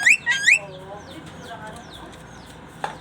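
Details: Caged pet starling (jalak) from Indonesia, a talker and whistler said to laugh, cough and copy chickens. Heard here: three bright, rapidly sweeping whistled notes in quick succession, then faint scratchy chatter with a short harsh burst at the end.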